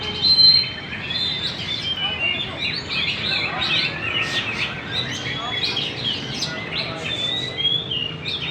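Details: Magpie-robin singing energetically at Banjar Indah: a dense, unbroken stream of varied high chirps, twitters and short whistled phrases, with a louder burst at the start and a faint background hum.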